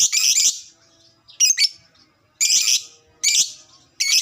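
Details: Lovebird ngekek chattering, intended to make other lovebirds answer quickly: loud, harsh, high rasping bursts of about half a second, repeated roughly every second.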